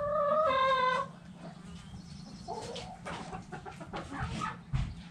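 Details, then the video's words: Backyard chickens: a rooster's crow ends in a drawn-out harmonic note, then hens cluck in irregular soft bursts over a low steady hum. "Back Yard Chickens Continuous Footage! Rooster Crowing! Hens Clucking!"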